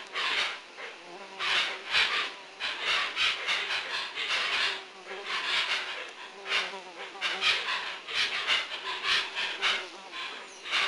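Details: Hoatzins at Lago Sandoval in 1999 give harsh, wheezy, hissing rasps in quick repeated bursts, several voices overlapping with barely a pause.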